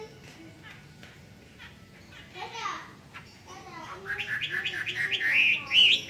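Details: Hwamei song starting after faint background voices: a rapid run of short, loud whistled notes that climb in pitch and end in sharp, high slurred whistles.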